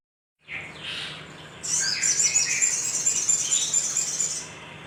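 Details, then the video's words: Little spiderhunter, recorded as a lure to stir other birds into singing. A couple of soft, hoarse notes are followed by a long, shrill, very high trill of rapid chattering notes held for nearly three seconds. "Pancingan Sogok Ontong Sogon Gacor"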